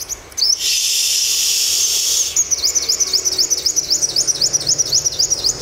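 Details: Olive-backed sunbird, a newly caught wild bird being tamed in the morning: a loud hiss covers the first two seconds, then high, thin, sharp chevron notes repeat rapidly and evenly, about four per second.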